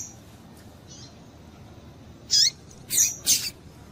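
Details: Female double-collared seedeater calling to stimulate a male; after a quiet start with faint thin notes, three loud, sharp high chirps come in quick succession near the end.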